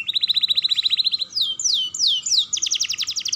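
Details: Young canary song used to stimulate other canaries: a fast even trill, four downward-slurred whistles, then a rapid buzzy trill closing the phrase.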